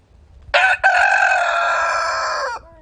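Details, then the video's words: Single loud rooster crow. A brief harsh burst, a tiny gap, then a long raspy held note of about two seconds that drops away at the end, in a quiet setting. "Rooster Crowing"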